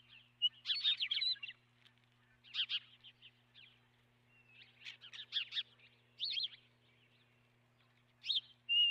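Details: Osprey calling at its nest, caught by a nest camera on March 12, 2016: repeated clusters of shrill, rapid chirps in loose bouts, separated by pauses, with a faint constant hum underneath.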